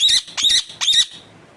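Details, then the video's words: A pet talking parrot, scolded by its owner for being angry and hitting others, gives three harsh, high, raspy bursts in quick succession, each about a fifth of a second, then quiet. "bolane wala tota"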